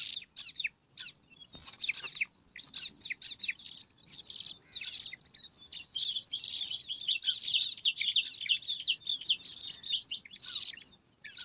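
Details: Bar-winged prinia nestlings, five of them, scramble for food in their nest among alang-alang grass, giving a near-continuous, high, raspy hissing chatter of rapid buzzy bursts that barely pauses over the whole stretch.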